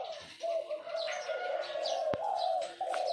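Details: Decoy spotted dove used for trapping, cooing at its perch stand: a long, low, steady coo with slight waves in pitch, broken by a short gap and a sharp click, with faint higher bird chirps in the background.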